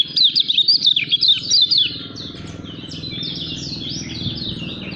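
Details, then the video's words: Lemon-bellied white-eye, a caged songbird described as a strong, promising contest bird, singing a rapid run of high, thin twittering and chattering notes for about two seconds, then softer, quieter phrases over a low background rumble. "KECIAL KUNING SUPER NGEJOS GACOOR CALON JUARA"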